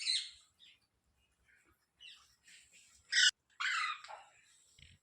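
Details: Parrot, locally called tota or mitthu, making a string of harsh rasping squawks and a sharp screech, broken by brief pauses, with softer grating chatter between the louder calls.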